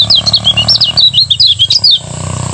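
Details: Morning ngejos-style song of a Lemon-bellied white-eye from Lombok, used to train other birds. Rapid high, bouncing chirps and slurred whistles over a low steady humming background noise.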